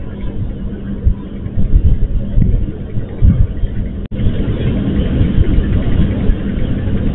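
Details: Low vehicle rumble and urban noise continue throughout, with a brief dropout midway and no animal call.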